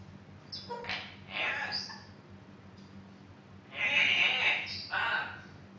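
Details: Pet female African grey parrot, about two years old, kept indoors and fond of talking: two bursts of bright, speech-like chatter, the second louder and longer, in a quiet room with a low steady hum.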